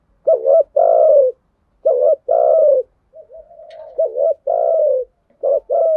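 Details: Spotted dove cooing as a lure to rouse trained doves. Three loud phrases repeat, each a pair of short notes and a drawn-out, level coo. Between them come quieter murmuring notes.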